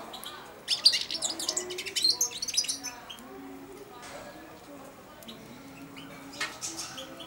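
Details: Four-month-old caged European goldfinch beginning subsong while perched by an owner's hand inside its cage at feeding time; a burst of fast, high twittering and scratchy notes in the first half, then quieter scattered chirps.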